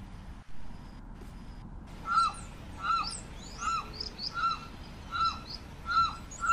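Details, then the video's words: Limpkin (carrao) calling after a quiet opening: loud, rhythmic, wailing notes rising then falling, repeated a little faster than once a second, about seven times. "Canto del Carrao"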